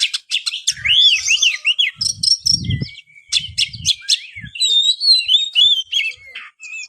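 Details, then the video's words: Kacer, the oriental magpie-robin, singing energetically to stir lazy kacer: sharp clicking chatter, a series of looping whistled notes repeated in a row, then more varied twittering and warbles, with intermittent low muffled thumps. "buat burung Kacer anda yang malas bunyi"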